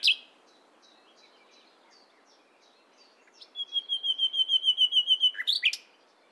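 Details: Morning nightingale song: soft scattered notes, then a crescendo of evenly repeated high, pure whistled notes, about five a second, ending in a sharp, sweeping flourish.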